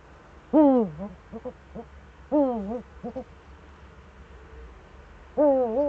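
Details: Eurasian eagle-owl in the Eifel, Germany, recorded 4 February 2014: three drawn-out, wavering, harmonic calls, each about half a second, with short clipped notes in between, over a low rumbling background.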